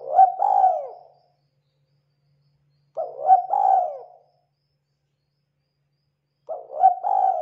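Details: Local tekukur (spotted dove) lure song: mellow coo phrases repeated roughly every three to four seconds, each two quick notes followed by a drawn, slurred coo, with silence between.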